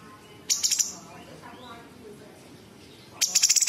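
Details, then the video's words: Sooty-headed bulbul singing tembakan variations stuffed with imitations of small and large birds and insects: a brief burst of shrill pulsed notes, over two seconds of near quiet, then a rapid high stuttering trill. "Cucak cungkok istimewa gacor variasi tembakan istimewa tajam kasar rapat super pedas full isian"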